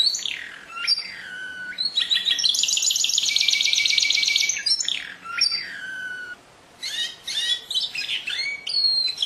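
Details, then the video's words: Canary song of varied phrases: downslurred whistles, a loud sustained buzzy trill of rapid repeated notes in the middle, then more sweeping chirps and short rolls. "Chant du Canari- تغريد الكناري"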